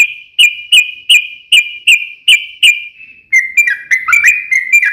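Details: Yellow-vented Bulbul, singing lively to provoke other bulbuls; evenly spaced bright whistled notes about every third of a second, then a quicker chattering sequence of varied notes.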